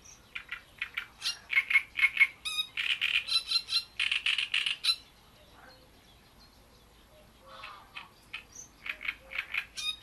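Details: Great reed warbler at Bohdanečský pond delivering loud, scratchy, frog-like song: rapid repeated harsh notes in rhythmic strings, a short pause with faint sounds, then another grating series.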